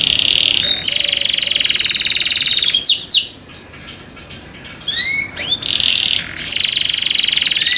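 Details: Loud canary singing said to prompt others to join: long rapid buzzing rolls, interrupted around three to five seconds by a few upward-sweeping whistles and a quiet gap, then the roll resumes.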